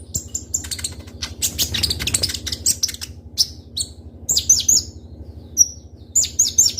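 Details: Kolibri ninja (Konin) sunbird in full, active song, used as a lure recording: sharp high chirps and quick shot-like notes in bursts, with several clear piercing whistles near the end, over a low steady hum.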